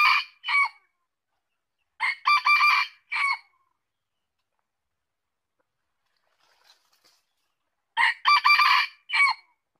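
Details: Red junglefowl crowing three times, about every four seconds. Each crow is short and rasping, with a choppy middle and a curt drooping final syllable. Quiet stretches fall between them.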